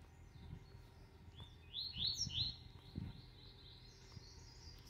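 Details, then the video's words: Three caged male Double-collared Seedeaters at 7:40 in the morning give quick, high, buzzy chirped notes in a short burst of about three phrases, over low rumbling background noise. "CAMPEADA COM 3 COLEIRO PAPACAPIM"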